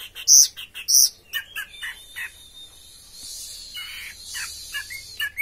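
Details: Orange-headed thrush kept in a cage, singing teler: two loud piercing squeaky notes, then softer varied chirps and slurred whistles over a faint hiss.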